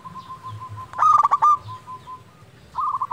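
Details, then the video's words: Persistent local zebra dove song used as a lure for lazy birds: soft repeated coos, then a loud burst of rapid stuttered notes near one second, more faint coos, and another rolling phrase closing. "Perkutut lokal gacor pancingan untuk perkutut malas bunyi"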